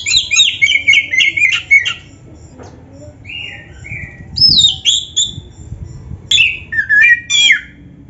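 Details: Oriental magpie-robin singing energetically, a 'full isian' song rich in varied phrases, played to rouse other magpie-robins: bright whistled and warbling bursts, short pauses between phrases, a lower sliding whistle midway, then fast chattering notes.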